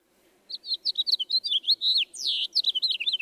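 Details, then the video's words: House finch song: a quick, jumbled warble of raspy, burry notes rising and falling, ending in the harsh down-slurred notes typical near the song's end. No other sounds. "let's hear these two finches again first the house finch with its raspy sounding notes"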